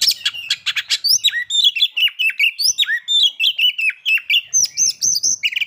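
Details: Oriental magpie-robin, called kacer, singing a lure meant to provoke breeding drive and aggression; rapid chips give way to a steady string of short whistled phrases repeated about four times a second.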